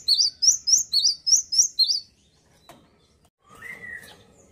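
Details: Seven sharp, high alternating whistles from a singing male cinereous tit, then silence and a faint lower sliding note.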